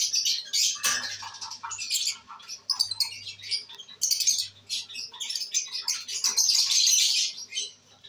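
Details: Albino red-eyed pet lovebirds enjoying themselves, dated 5/09/23: rapid, uneven chirps and squeaks, about four a second, swelling into a long buzzy squawking passage near the end, with a faint hum.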